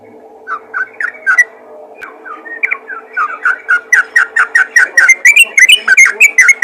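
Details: Yellow-vented bulbul calling to other bulbuls in the rapid ropel style: soft, slurred notes quicken after the first seconds into a fast run of loud, liquid, bubbly whistles, with a low steady hum underneath.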